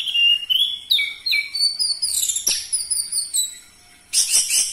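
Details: Orange-headed thrush song played to stimulate caged birds into singing: loud, rapid, varied whistled phrases that slide up and down, with a short quiet gap before a final dense burst.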